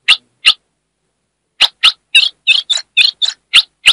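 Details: Female ultramarine grosbeak from Brazil's Northeast calling to rouse the male. Two lone chips open the clip, then a second of silence, then a rapid cluster of harsh, stuttering chips.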